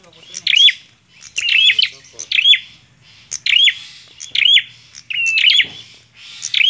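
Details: Bar-winged prinia (prenjak klawu) singing gacor, in vigorous non-stop style: sharp high chirping phrases, each with a brief whistled slur, repeated about once a second with short silent gaps and a faint low hum beneath.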